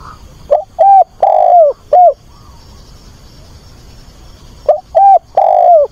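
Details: Caged decoy spotted dove singing to attract a partner. Two low, mellow phrases about four seconds apart, each a brief clipped note, a short coo, a long sliding coo and a closing shorter coo, with little other sound.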